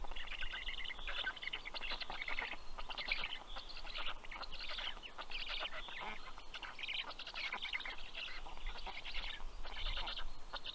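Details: Black stork young on a nest in Karula National Park, Estonia, greet their fish-bearing father on 11 June 2023 at 11:00 am. Rasping pulsed bursts come in irregular bouts, each lasting about a second, over faint low rumble.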